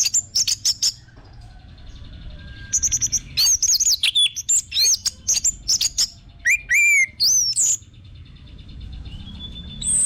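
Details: Orange-headed thrush lure recording for stimulating captive birds: fast strings of high chirps and looping whistles, with a few lower slurred notes and brief quiet gaps between bursts.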